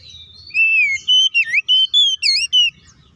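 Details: Oriental magpie-robin in full song, used as a lure to agitate other magpie-robins; loud, clear whistled phrases, some sliding down, others bending sharply up and down, delivered in a rapid run of about eight notes after a brief quiet start.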